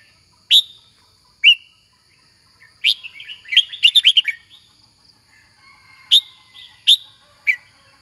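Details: Red-whiskered bulbul (Pycnonotus jocosus), song.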